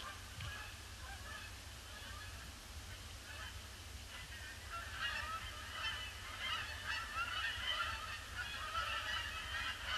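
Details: Seemingly endless arrival of Canada geese circling a pond before landing, grey winter day, 26 December 2015; honking starts sparse, then swells into a loud, rapid, overlapping clamour from many birds, with wind rumble below.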